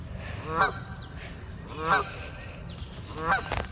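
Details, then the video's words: Three evenly spaced, reedy honks about a second and a half apart come from flying geese, each brief and harmonic, against a faint hiss and low rumble. "Geese honking and flying"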